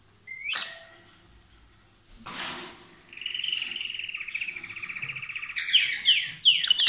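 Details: Two lovebirds, a pair kissing and passing food, give a shrill squeak, then a long buzzy trilling note and sharp chirps at the end.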